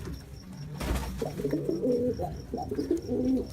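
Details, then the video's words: Jacobin pigeon cooing indoors in a small room: low, throaty coos rising and falling in soft rolling phrases, with a brief rustling burst near the start. "SOUND OF A JACOBIN PIGEON 🔊 What does a jacobin pigeon sound"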